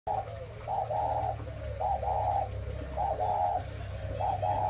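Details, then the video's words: ["Breeding spotted dove of the 'mã phân hồng' type: mellow two-part coos near 600–900, a short note then a longer rolling one, repeated about every 1.2 seconds. A low steady hum runs underneath."] "cu gáy sinh sản mã phân hồng"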